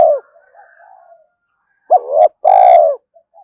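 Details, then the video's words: Spotted dove giving continuous 'gáy thúc' coos meant to lure wild doves quickly. A trailing coo ends, soft low murmurs follow, then one full phrase: a quick hooked double note and a sustained, resonant, buzzy coo. "tiếng cu gáy thúc hay rút bổi, gáy gọi liên tục dục chim bổi về nhanh"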